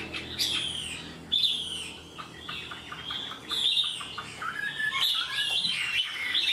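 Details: Chinese hwamei described as an untamed bird that sings promptly and fully; sharp whistled phrases and descending slurs arrive in separate bursts, with a low background murmur between them.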